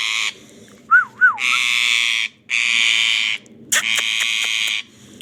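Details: Ringneck parrot uttering long, grating, rasping screeches one after another, broken by a pair of wavy whistled notes and a quick run of sharp clicking taps.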